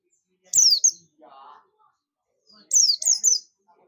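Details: Calling oriental white-eye, buxtomi type, summoning companions: a high descending chirp, a brief low murmur, then a run of three quick high chirps falling in pitch.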